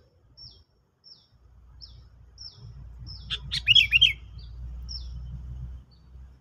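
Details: Lure recording of a sooty-headed bulbul for bird trapping: evenly spaced thin high chirps, then a loud rolling, bubbly phrase of several liquid notes, over a steady low background hum.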